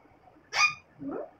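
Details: Talking parrot kept as a pet saying "mitthu guddu", a single harsh, buzzy syllable followed by a softer, lower drawn-out sound, indoors with little background noise.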